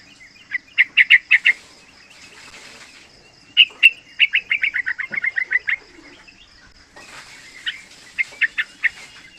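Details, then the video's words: Young yellow-vented bulbul, three months old, used as lure and tutor audio for other bulbuls: quick bubbly phrases, then a long rapid rolling run of repeated chirps that slows toward its end, later softer chirps amid a faint hiss and a constant high hum. "Panggilan trucukan muda AMPUH buat Pancingan trucukan agar bunyi ropel"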